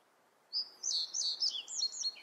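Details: A common reed bunting, watched on camera in the wild, gives a short, high phrase of about six quick, slurred chirps, rising and falling, lasting under two seconds against a quiet background.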